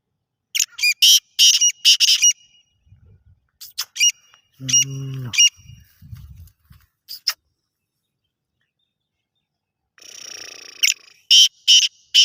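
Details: Black francolin giving loud, grating, broadband notes in clustered bursts, with a short human voice in the middle and a gap of quiet before more harsh notes resume.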